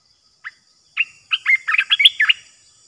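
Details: Caged red-eyed bulbul recorded as a trapping lure: an isolated short note, a half-second gap, then a lively chattering phrase of rapid bubbly chirps, bright and close.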